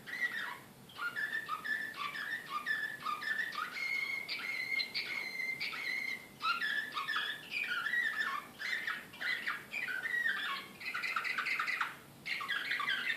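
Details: Excited Serbian slavujar canary recorded in Belgrade, 2014. Long continuous song of chopped, rattling phrases and a drawn-out steady whistle, with brief breaks every few seconds.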